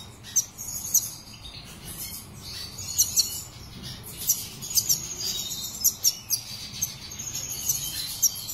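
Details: Black siskin, a South American finch kept in a cage, singing a high, thin, twittering song of sharp chirps and short trills, with brief pauses between bursts.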